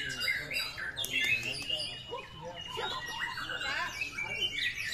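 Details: White-rumped shama, one bird described as fancy and bowing set against another with a sharp, thunder-like voice; dense, rapid high whistled and chattering phrases tumbling over one another, with faint voices in the background.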